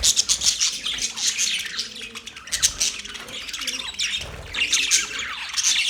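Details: Budgerigar chatter: overlapping high chirps and scratchy warbles run almost without pause, with occasional soft low bumps beneath the birdsong.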